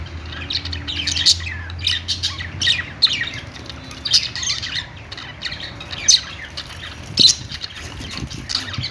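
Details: Budgerigar singing: repeated short bursts of sharp high chirps and rasping squawks every second or so, with brief quieter gaps and a low hum early on.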